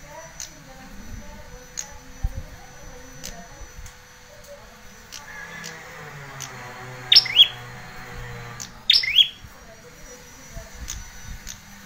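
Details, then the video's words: Bar-winged prinia, used as a lure and tutor for young red-headed birds: after several quiet seconds of faint ticking, two high, sharp chirped phrases, each ending in a short rising buzz, come less than two seconds apart. "pancingan masteran pikat prenjak ciblek kepala merah muda bakalan trotol"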